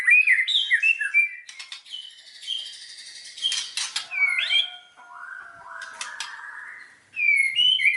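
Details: White-rumped shama song used as a lure to excite other shamas: varied whistled phrases, rasping bursts and soft sustained notes, ending in loud clear whistles.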